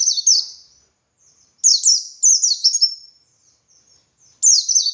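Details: White-eye (pleci dakun) ngalas song for training other white-eyes: very high, thin phrases of quick falling slurred notes, separated by pauses with faint soft chips, repeating in bursts.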